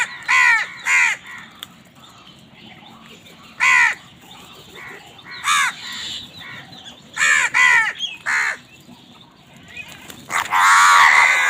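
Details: Crows quarrelling over food give short, loud, rasping caws in uneven pairs and singles across several seconds, ending in a burst of overlapping harsh calls.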